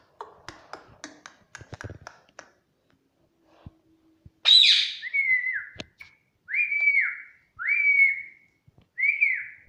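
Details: Green pet parrot repeating "mummy": after a stretch of clicks and taps, a harsh rasping note, then four repeated two-part nasal calls about one per second, each rising then dropping sharply, like a squawked "mum-my".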